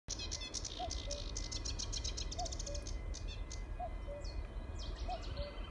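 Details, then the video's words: Common cuckoo at Trimley Marshes gives its falling two-note cuck-oo four times, about every second and a half, over busy chattering warbler song (Cetti's and sedge warblers present, with little grebe) and steady wind rumble. "A cuckoo calling"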